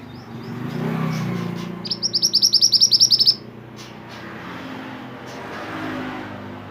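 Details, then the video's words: Mantenan bird, a lively songster whose recording serves as tutoring song for caged songbirds, delivering one fast, even buzzy rattle of about fifteen pulses lasting a second and a half, with soft background hum before and after. "mantenan gacor burung masteran / chirping sound bird"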